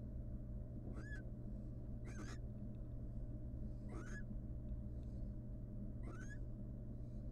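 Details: Wild female barn owl in a monitored nest box, showing affection to the male before returning to incubate their eggs: four short, rising, chirruping calls with bright harmonics, roughly every two seconds, over a steady low hum.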